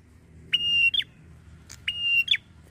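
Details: Lure call of a red-headed prinia used to draw quick replies from other prinias: two steady high whistles, each about half a second long and finished with a brief rising-falling flick, separated by a soft click.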